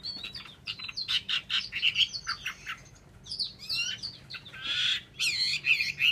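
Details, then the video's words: Caged Chinese hwamei from Vietnam giving bursts of varied chirps, trills and slurred whistles separated by brief pauses, ending in loud sweeping notes; a low steady hum runs beneath. "họa mi"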